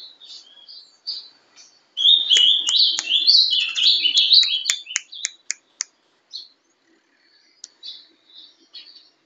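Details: Ringed juvenile ultramarine grosbeak kept in captivity, Paraná song style. Soft scattered notes, then a loud two-second warble of up-and-down whistles, followed by a run of sharp clicks and faint trailing chirps.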